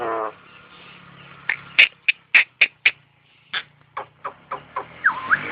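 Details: Caged starling singing and mimicking an ambulance siren: a low buzzy tone, then a run of sharp clicking chips, followed by quick descending whistled notes and a rising-falling siren-like slur at the end.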